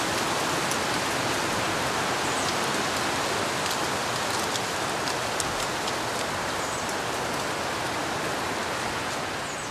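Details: Steady heavy rain pours outdoors, hissing evenly throughout with scattered drop taps.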